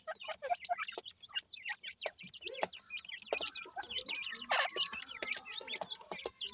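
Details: Dakhni teetar (grey francolin) chicks at feeding time: a steady stream of high, downslurred peeps and tiny chirps from many birds, with intermittent sharp clicks.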